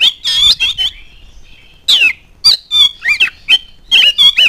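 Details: Lure song of an oriental magpie-robin meant to make other birds answer: short harsh squeaky bursts and rising whistled slurs in separate phrases with brief silences between.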